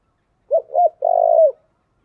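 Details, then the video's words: Spotted dove calling as a lure: a short two-note coo followed by a longer, steady, slightly falling coo, low and hollow, with no other sounds. "Chim cu gáy chơi đủ bài thúc gù gáy gọi"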